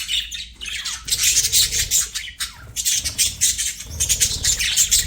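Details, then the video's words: Budgerigar pet chirping in lively bursts of shrill, grating twitters and whistled squeaks, each burst lasting a second or two. "BUDGIE CHIRPING SOUNDS"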